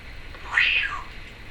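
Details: Female Timneh African grey parrot kept at home gives one short, harsh, rising-and-falling squawk against a quiet room.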